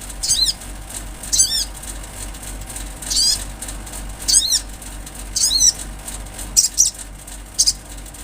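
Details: Olive-backed sunbird in lively song, said to be natural: sharp, high, sweeping notes with falling harmonic slurs, given singly about once a second, over a constant low hum.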